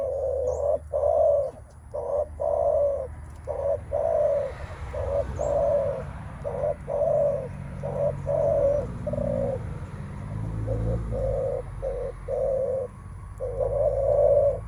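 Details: Spotted dove giving its 'menguku' cooing call on meeting a rival, a sound made before trading strength, mostly by males; low mellow coos in uneven phrases, roughly forty a minute, with low background rumble.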